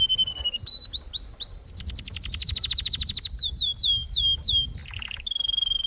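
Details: Singing canary delivers sliding whistled notes, a rapid rattling trill, then looping swept chirps and a steady high whistle, all loud and clear.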